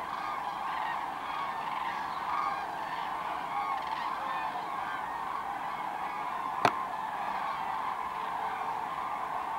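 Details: Roosting flight of common cranes into the Kvismaren wetland, among 24,000 birds; unbroken massed trumpeting from a large flock, with a single sharp handling knock late on.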